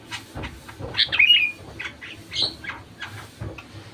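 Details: Sooty-headed bulbul phrase used as a lure so other bulbuls will sing: one bubbly, downward-sliding phrase followed by scattered sharp chirps, amid dense clicking and rustling.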